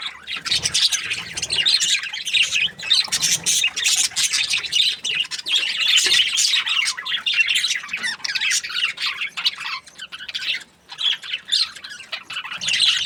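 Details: Contented budgerigars chatter almost nonstop, a flock of overlapping squeaky chirps, raspy buzzes and warbled phrases, with only a brief lull near the end.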